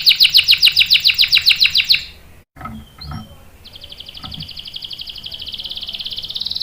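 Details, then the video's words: A canary's long rolling song, meant for luring other canaries into song and for teaching young males. A fast, even, high trill runs for two seconds, breaks off after a brief silence and faint clicks, then resumes as a softer, fine buzzy trill. "KENARI GACOR NGEROL panjang bagus untuk PANCINGAN dan MASTERAN paud | CANARY SINGING"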